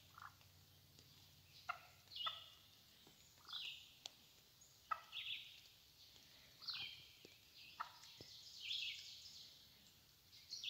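A wild turkey hen gives short, raspy yelps and clucks in loose bursts every second or two, over a hissy, noisy background.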